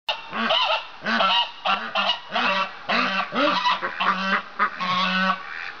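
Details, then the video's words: Male domestic goose complaining as its owner picks up an injured white duck it treats as its mate; a rapid series of about eight loud, harsh, nasal honks, each rising then falling, the last held long and flat. "Goose Complaint"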